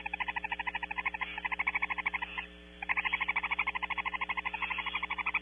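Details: Barn owls at Starr Ranch during an early morning feeding on 21 March 2016. Rapid pulsed chittering runs at about three pulses per second, breaks off briefly mid-clip, then resumes over a steady low electrical hum.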